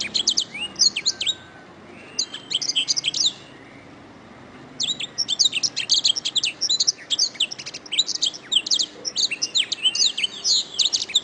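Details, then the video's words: Canary singing, recorded as a master for teaching other birds: two clusters of rapid high twitters, a quiet gap of about a second and a half, then a long unbroken run of fast, varied, chattering phrases. "Masteran Suara Kenari"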